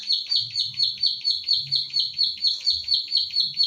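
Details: A pied bushchat belonging to the recordist in Central Java, recorded by phone (Infinix Hot 9 Play) for training other birds, gives rapid, evenly spaced high chips, about two per second, with faint low-pitched noise underneath.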